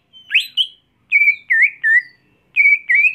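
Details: Clear whistled phrases from a greater green leafbird: a rising slurred opening note, then five separate wavering whistles, each bending up and down at a fairly steady high pitch, spaced about half a second apart.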